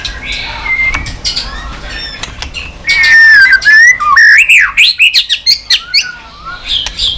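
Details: White-rumped shama in continuous clicking song, used to stimulate weak birds into quick fighting form. Soft chatter builds into a loud run of swooping, twisting whistles and quick varied notes that tail off into fainter warbles.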